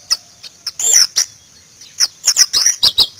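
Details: White-eye (pleci) in Indonesia: a few sharp high chirps, then a harsher buzzy burst, followed by a quick series of bright twittering notes.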